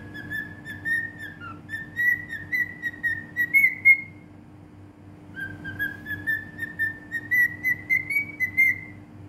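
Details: A cockatiel in Bahrain whistles two long melodic phrases of clear notes, each slowly rising in pitch and separated by a short gap, with a steady faint background hum.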